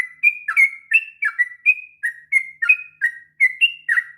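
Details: Rapid 'ngropel' song of a sooty-headed bulbul, kept as a master recording for young birds: a steady string of clear whistled notes, some flat, some bending down, roughly three per second in a quiet background.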